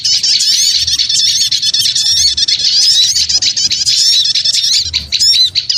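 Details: Constant, crowded twittering of small birds used as a lure: shrill chirps, fast trills and upward squeaks overlap without pause for nearly six seconds.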